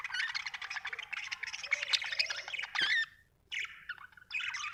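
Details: Happy budgerigar in continuous fast chattering warble, dense with scratchy clicks, squeaks and whistled slides, breaking off briefly near the end before resuming, over a low background hum.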